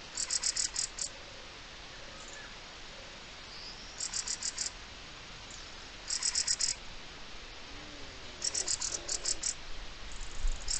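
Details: Mistle thrush alarm call recorded 04-05-23: dry rattling bursts of about six to eight rapid clicks, repeated every two to four seconds, with a faint low tone from another bird between bursts.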